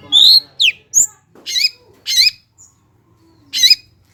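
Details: Long-tailed shrike (cendet) singing as a lure to provoke lazy birds into song: a varied run of sharp high notes, a falling slur, short chips and three harsh buzzy bursts about a second apart.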